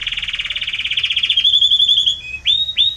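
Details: Belgian canary with a strong, warm song: a rapid pulsing trill that gradually rises and thins, then two separate upward-swept whistles.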